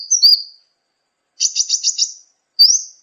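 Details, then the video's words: Sunbird song used as a master recording for training songbirds: a sharp downslurred whistle, a burst of quick buzzy trilled notes, then a rising whistle. "masteran burung gacoan, Kolibri"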